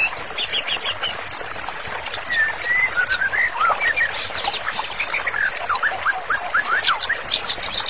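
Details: Master song of a white-rumped shama in full voice, used for therapy: rapid, crowded high chirps and twitters, with lower sweeping whistles rising and falling through the middle of the phrase.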